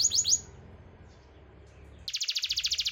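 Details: Canary song used to coax reluctant birds into singing: a few quick high downslurred notes, a short pause, then a fast, evenly pulsed high trill.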